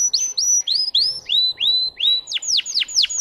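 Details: {'_': 'Singing Russian-bred canary, caged indoors, giving a short run of high slurred notes, each rising then falling, repeated about three per second, ending in steep downward sweeps; quiet room hum in the background.'}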